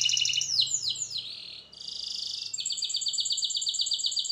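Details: Canary song used for training, opening with a high rapid trill, then swooping down-slurred whistles, a brief pause and a long sustained rattling trill in two bands, over a soft low background hum.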